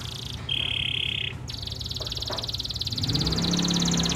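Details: Local canary singing energetically in a champion-style song: a pure whistled note held for about a second, then a long, fast, high buzzy trill of rapidly repeated notes, with low rumbling traffic-like noise underneath.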